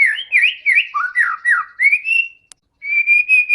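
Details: Singing white-rumped shama, played to coax other shamas into song, delivers bouncing whistled phrases of rising and falling slurs, about three per second, ending in a steady held whistle after a brief gap.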